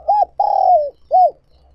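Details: Decoy spotted dove calling to attract wild doves: one loud phrase of three mellow coos, a brief arched note, a long falling drawn-out note, then a short rounded coo.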